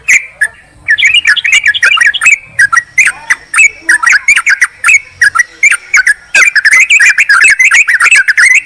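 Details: Lure recording of a Sooty-headed bulbul calling a rival, played to attract wild birds: rapid, lively chirps and warbled notes in continuous clusters with brief pauses.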